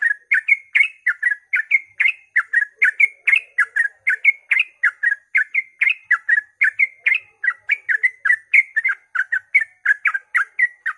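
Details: Early-morning ropel song of a sooty-headed bulbul, played to set other bulbuls singing: an unbroken stream of chattering, gurgling notes, several per second, kept up for eleven seconds.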